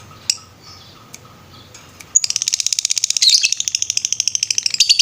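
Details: Lovebird master recording in the ngetrek style: two seconds of quiet with a few faint ticks, then a sudden, sustained, rapid high trill of buzzy pulses running to the end.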